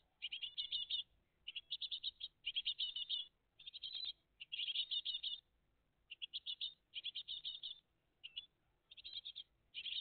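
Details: Loud, insistent chattering from a great tit family at the nest, live on the morning of 20 June 2023. Repeated bursts of high, buzzy chirps follow one another with short gaps over the whole ten seconds.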